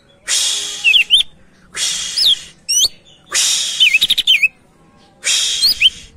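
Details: Energetic gacor song of a greater green leafbird meant to draw other birds into singing: four raspy buzzing phrases, each laced with curling whistled notes, plus a quick stuttering series of clicks.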